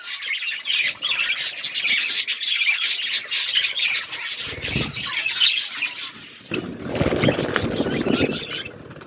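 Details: Budgerigars in a flock producing a dense, loud chorus of harsh squawks and chirps that runs almost without pause, with a rougher noisy stretch near the end.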